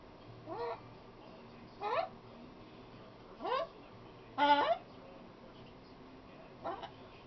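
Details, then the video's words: Female pet macaw that talks a lot, uttering five separate harsh, harmonic calls roughly a second apart, each sliding upward in pitch, the fourth louder and fuller. Quiet room with faint low hum between calls. "talking macaw"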